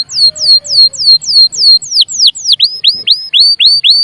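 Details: Canary in vigorous 'gacor' song used to coax other birds into singing: a regular series of loud, clear, downward-sweeping whistled notes, roughly four per second, shifting to upturned hooked whistles.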